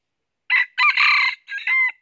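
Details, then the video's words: Red junglefowl crow from a northern Vietnam trapping session with a red-eared decoy bird: a single strident crow of three linked parts, a short opening note, a long harsh middle, then a falling drawn-out end, about one and a half seconds. "Bẫy Gà Rừng Miền Bắc Mồi Tai Đỏ Đụng Bổi Gáy Cà Lắm"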